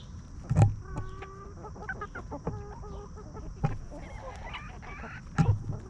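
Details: Peaceful free-range hens roaming and snacking in a backyard farm: drawn-out nasal clucks with clear harmonic tones, several birds overlapping, plus loud thumps from scratching or handling and a steady low background hum.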